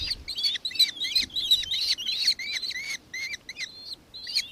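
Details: Shrill curling notes from a nankeen kestrel in Victoria, Australia, on 4 December 2024 come in a quick regular run, then slow and space out toward the end.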